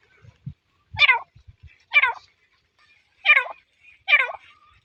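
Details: Grey francolin calling: four loud, harsh, ringing notes, each twisting up and down, repeated roughly once a second, with faint low knocks in the gaps.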